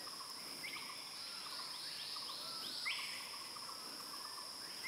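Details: A male banded kingfisher calls with faint upslurred whistles, then one clear rising whistle near the end. A steady shrill insect hum and soft chirping fill the background.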